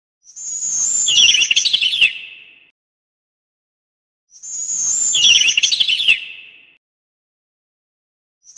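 A sparrow gives a thin high whistle, then a fast buzzy trill that drops in pitch. The same two-second phrase repeats twice, with silence between.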